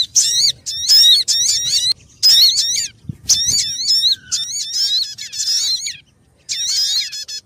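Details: {'text': 'Bird-trapping lure of the Sogon: strong whistled notes curving upward in quick repeated groups, with a couple of low knocks midway and a short silent stretch before a final burst.'}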